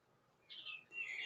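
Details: Baby turkeys (poults) on a farm, growing big, on a hot summer morning, give two thin, high, slightly falling peeps in quick succession over faint background hum.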